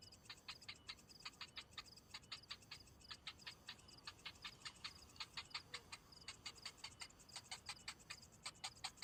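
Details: Cinnamon bittern chick, hungry and waiting for a parent that returns without food, gives a steady stream of sharp, high clicking calls, roughly two to three each second, in uneven runs against a faint, quiet background.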